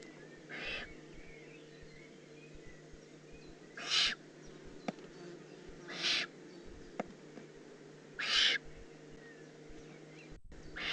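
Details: Young Eurasian eagle-owl, Eifel, June 18, 2016, giving four breathy, rasping hiss-calls at irregular gaps of about two to three seconds. The later calls are louder. A constant low hum runs underneath.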